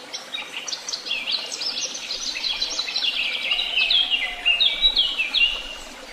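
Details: Wild bird song outdoors: busy, high twittering phrases of quick chirps and short descending slurs, rising in loudness toward the middle and continuing without pause, with a faint low background rumble.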